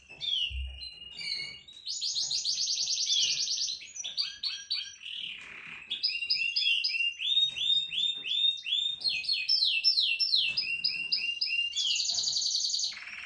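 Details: Canary song full of rapid rolling trills and high chirped phrases, changing tone every second or two, with a long bright trill near the end.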